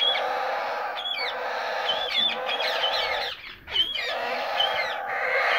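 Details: Young white ringneck parakeet babies give a steady chorus of harsh, buzzy begging calls with short rising squeaks on top, overlapping continuously with a brief pause near the end.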